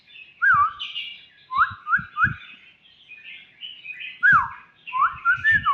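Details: Young white-rumped shama giving short whistled phrases, each a quick rising-then-falling slur, in two bursts separated by a pause, over soft higher twittering and low dull knocks.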